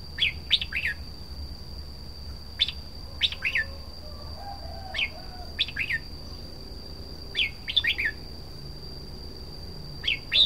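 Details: Red-whiskered bulbul giving repeated short musical phrases, about seven bursts of two or three sharp, slurred notes each, spaced irregularly over ten seconds. A thin continuous high whine is heard throughout.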